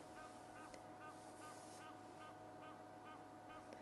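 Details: A goose calls from a dam at Djuma Game Reserve, South Africa, on a chilly sunrise morning, 1 June 2011, with repeated harsh, nasal honks, roughly every half second, over steady low wind and engine rumble.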